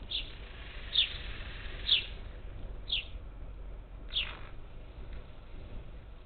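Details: Feeder parakeets on the outskirts of Houston, Texas, summer 2021: five sharp scratchy chirps spaced roughly one second apart, against a quiet background.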